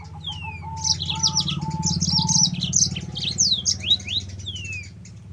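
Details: Yellow-fronted canary song intended as a training lure for other canaries: dense, high, jumbled twittering and sweeping slurs over a low rumbling background, with a softer lower whistle repeated early on.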